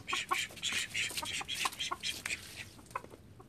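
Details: Home-kept call ducks, a group of thirteen, burst into rapid, loud, scratchy quacks several per second, then the calling thins out and fades near the end.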